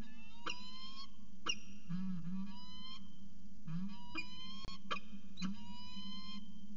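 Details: Peregrine falcon pair in the evening at CSU Orange, 11 December 2018, 6:45 pm: clear harmonic calls, some slurring downward, given in spaced bursts every second or so over a steady low hum.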